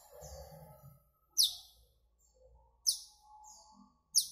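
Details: Asian glossy starling, a greenish black bird, producing sharp metallic squeaks about every one and a half seconds, with thin whistled notes in between and a soft low hum.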